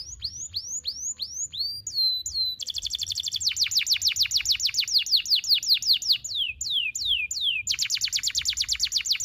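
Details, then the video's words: Canary with long, sharp single-breath song used to tutor young canaries: spaced upslurred whistles, then an extended fast run of sharp falling notes, a few slower whistles and another rapid rattle. "KENARI GACOR NEMBAK TAJAM , DURASI PANJANG SATU NAFAS || CUIT CUIT MASTERAN KENARI PAUD AGAR BUNYI"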